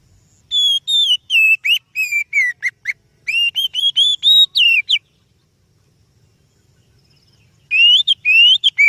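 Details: Oriental magpie-robin singing, a recording used to lure other birds. Bursts of loud, pure whistles come in rapid succession, with slurred and falling notes. There is a pause of almost three seconds, then the phrases resume.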